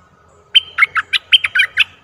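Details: Decoy bulbul luring a very old wild bird, 11 August 2021: a brisk phrase of six clear whistled notes, a steady high whistle leading into quick dipping syllables, with a faint low hum behind.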